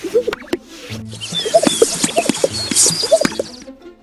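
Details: Male Greater Sage-Grouse in courtship display during the breeding season, inflating its chest to attract mates: a run of hollow, bubbling pops and gulping plops, several each second, over a faint hiss and what may be soft background music.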